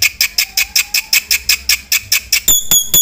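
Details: Black-winged myna in full 'isian' song, used as a lure and master recording: harsh, buzzy notes repeated about five times a second, shifting at the end to thinner, ringing notes.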